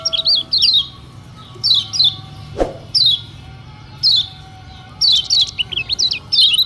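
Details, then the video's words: Lure song of a lemon-bellied white-eye, meant to stir other birds to sing: short bursts of high, quick slurred chirps about once a second with pauses between. A single click sounds midway. "Tembakan Kecial Kuning Paling Dicari Bikin Kecial Lain Emosi Dan Terpancing"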